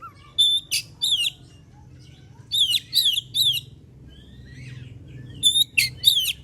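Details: Oriental magpie-robin, known locally as kacer, singing in full voice and used as a lure to provoke other birds into singing: loud whistled phrases with swooping notes, grouped in bursts separated by short pauses, over faint low hum.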